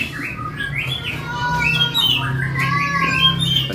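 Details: A caged flycatcher, one of seven large-bodied birds kept in a warehouse, sings loudly a varied run of slurred whistled notes, rising and falling in quick phrases, over a steady low indoor hum.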